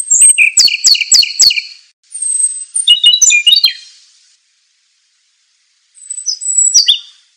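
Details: Scarlet minivet song used as a training recording for songbirds: a fast run of sharp, high chips, then clustered downslurred whistles and trills, a long silence, and one more high whistled phrase falling in pitch.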